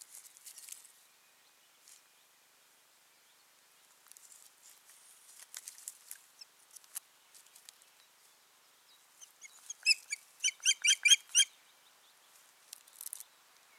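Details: Osprey pair at the nest, Finland, 14 June 2019, after the clutch was abandoned; faint rustling at first, then a burst of rapid high piping yelps repeated quickly, followed by a couple of softer notes.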